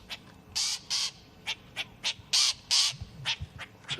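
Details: On a morning safari drive near a dam at Simbambili Game Lodge, South Africa, on 21 May 2020, an unseen roller gives harsh, shrieky rasping notes in uneven bursts of two or three a second over a faint engine rumble.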